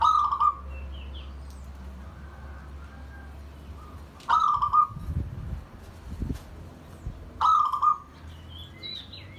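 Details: Pet zebra dove calling to bond and invite other birds: three brief rolling trills spaced roughly three to four seconds apart, with soft high chirps from other birds and some low thumps in the background.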